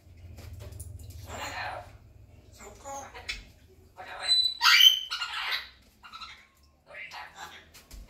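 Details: Red-tailed African grey parrot, a 20-month-old pet kept indoors, talking in short speech-like phrases mixed with squawky, breathy sounds and one bright whistled squeal in the middle, with quiet pauses between bursts.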